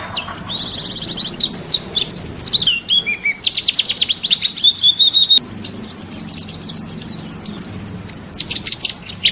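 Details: Masteran recording of a national champion white-eye (pleci) for training songbirds: high, hurried twittering with quick descending slurs, a lower buzzy patch, then dense rapid trills running on through the phrase.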